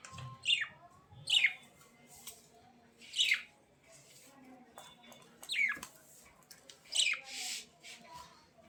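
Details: Budgerigar giving five loud, high, downward-sweeping chirps spaced one to two seconds apart, with a soft scratchy murmur between them.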